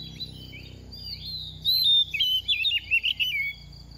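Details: Second-season oriental magpie-robin in moult, a fast singer: a soft opening warble builds into a loud run of choppy, quavering whistled notes that drift lower, over a faint low hum.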